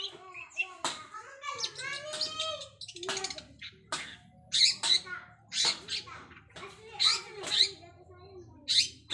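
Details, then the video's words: Mimicry practice by a long-tailed shrike learning elaborate fill-in sounds: harsh, broad squawks alternate with bright, piercing high chirps in irregular bursts over a faint low hum. "BURUNG CENDET BELAJAR BUNYI ISIAN MEWAH"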